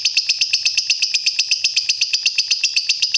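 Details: Lovebird song recorded for use as a lure to coax lovebirds that are reluctant to sing: a steady run of shrill, high chirps, about four per second and evenly spaced for three seconds.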